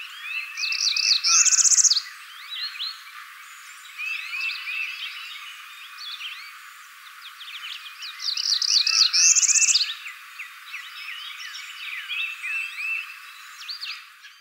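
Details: Northern parula in spring, in Arkansas or Kentucky, gives two rising, buzzy trills that climb steeply and end abruptly, about eight seconds apart, over a busy chorus of other chirping birds.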